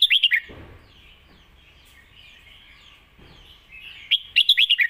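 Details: Red-whiskered bulbul singing Lak Wai, a master song: short bubbly phrases at the start and end, each five or six quick rich notes, with soft thumps and light warbling between.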